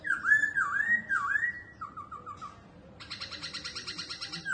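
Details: Pet laughingthrush dancing with tail flicks sings two long looping whistles, then four short dropping notes. Next comes a rapid, harsh, buzzy rattle, repeated several times a second.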